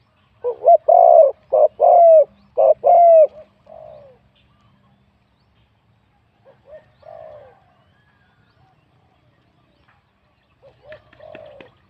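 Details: Spotted dove at a singing competition, a wild bird with a middle-to-large voice; a burst of four strong, low, rounded coos opens, then quieter scattered coos trail off with long pauses between.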